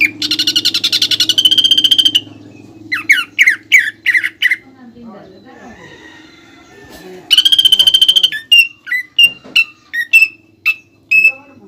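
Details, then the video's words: Caged greater green leafbird master song for training, woodpecker-style fill: rapid buzzy trilled bursts alternating with series of sharp, slurred whistles, separated by a quieter stretch with faint speech and low room hum. "PANCINGAN DAN MASTERAN CUCAK IJO GACOR ISIAN MEWAH PELATUK BAWANG"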